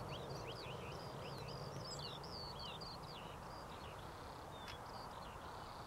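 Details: A female European stonechat at Powburn on 22 April gives rapid, thin whistled notes that swoop up and down, several each second, over a heavy rumble of wind.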